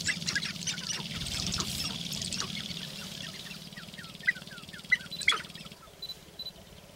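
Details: Sharp-tailed grouse displaying on a lek in Northern Wisconsin, April 29, 2021: thick overlapping chatter at first, thinning to spaced cackles with a few loud sharp calls, over a low throbbing rumble.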